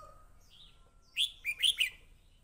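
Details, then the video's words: Red-whiskered Bulbul in fighting song: a soft rising whistle, then four loud, clear notes in a rapid burst, each sharply slurred up and down, over a quiet background. "hello crest fight 87,Hello Crest Singing"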